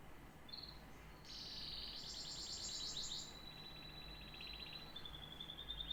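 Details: Canary song starting with a short high note, swelling into a dense buzzy rolling trill, then settling into a softer fast tour of repeated notes.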